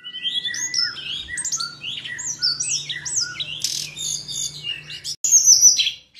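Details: Hill blue flycatcher (Cyornis banyumas) song: a rapid, sweet jumble of high whistled notes sliding up and down, with a steady low hum underneath.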